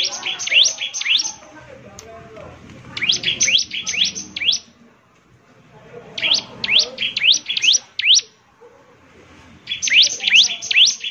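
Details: Energetic bar-winged prinia song in four distinct bursts, each a quick run of five or six high, sharply sliding chirps, separated by gaps of about two seconds, with quiet low background noise.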